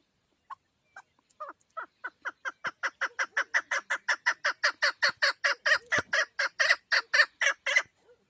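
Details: Hunting female Chukar partridge calling: a few sparse chucks at first, then a quickening, ever louder series of rough, evenly spaced notes, nearly two each second.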